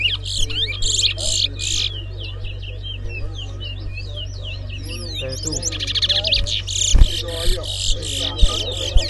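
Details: Towa towa bird whistling during a whistling contest. Fast runs of sharp chirps and rising and falling whistles repeat throughout, over a steady low hum, with people talking quietly and a few thumps near the end.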